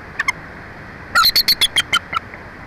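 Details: Bald eagle calling at a nest about 145 feet up in a Jeffrey pine in Big Bear Valley, San Bernardino Mountains, Southern California, home of a breeding pair; two short high notes, then a quick chittering run of about eight piping chirps.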